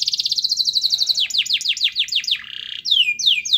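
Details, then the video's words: Canary song meant to set quiet canaries singing: a quick high rattling trill gives way to spaced downward-slurred whistles, a buzzy burst, then clear descending sweeps. "Suara Kenari Gacor Yang Malas Bunyi Awas Kaget Ikut Bunyi || Pancingan Kenari Agar Bunyi"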